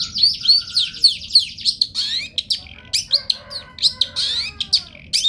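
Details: Long-tailed shrike in full, lively song used as a training recording for cage birds: dense, scratchy, rapidly varied chirps and sweeping high notes tumbling one after another with barely a pause, over a faint low hum.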